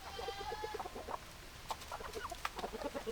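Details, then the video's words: Chickens clucking in a flock, a rapid string of short, evenly spaced clucks with a longer held tone at the start and scattered sharper notes later. "Chicken Sounds Noises Hens Clucking Roosters Crowing"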